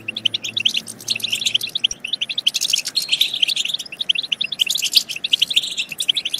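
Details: Twittering European goldfinch song for stimulating goldfinches to sing and mate; spaced sharp chirps at first, then a denser, louder burst of trills from about two and a half seconds onward.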